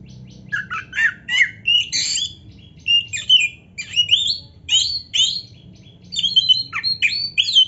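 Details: Vigorous Oriental magpie-robin song for stirring other males to answer: short loud bursts of mixed whistles, chips and buzzy slurs come in clusters separated by brief gaps, with a quiet steady hum beneath.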